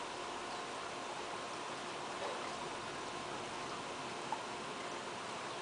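Even broadband hiss resembling running water or light rain, with one faint click near the end and no animal voice.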